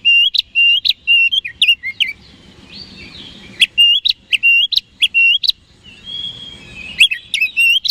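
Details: Oriental magpie-robin song played to provoke rivals: loud rapid series of sharp, repeated whistled notes, a soft warbled pause, then more fast chirping phrases and a rising sweet whistle.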